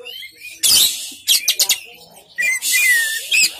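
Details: Oriental magpie-robin giving harsh scratchy bursts and a few clear whistled slurs, separated by quiet gaps, with faint low background murmur.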